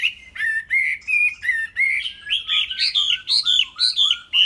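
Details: Tame Chinese hwamei singing a loud run of clear whistled notes, each phrase sliding and rising higher toward the end, repeated about twice a second with short gaps, over a quiet background.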